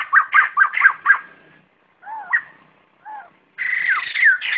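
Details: White-crested laughingthrush gathering its flock: five quick loud whistled phrases, then two soft paired low notes separated by silence, then a loud continuous rolling chatter of whistles.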